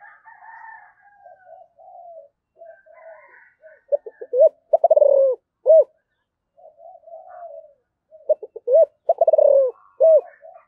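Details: Spotted dove in 'giọng thổ' voice giving two calling phrases a few seconds apart. Each phrase has soft low murmurs, then staccato notes, a rolling trill and a firm closing coo.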